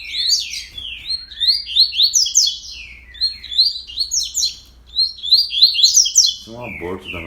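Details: Quick-paced coleiro song from 31 October, 06:30, several phrases of rapid overlapping whistles and chirps, with a man's voice breaking in near the end.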